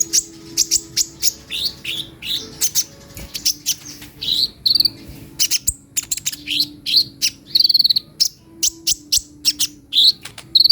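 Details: Continuous high twitter of a kolibri ninja sunbird, with rapid chips alternating with buzzy, slightly lower warbled phrases, delivered in quick irregular bursts.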